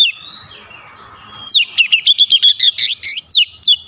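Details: Oriental magpie-robin in 'shooting' song displaying its repertoire: soft drawn-out whistles, then a rapid run of loud, clipped, chirping notes about four per second.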